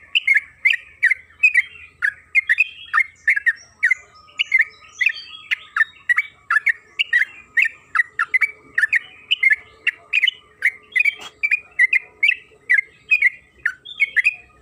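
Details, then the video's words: Used as a lure to provoke singing, a trucukan kebo (yellow-vented bulbul) gives long, energetic chattering song. Fast bubbling and gurgling notes repeat almost without pause in rapid, rollicking phrases. "Pancingan trucukan agar bunyi‼️Suara burung TRUCUKAN KEBO Gacor ropel Panjang"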